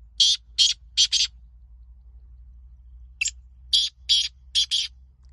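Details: Black francolin in a calling contest: a pattern of harsh, buzzy, clipped notes repeated in quick bursts, three near the start, then a pause and a further run of five similar notes, over a low background hum.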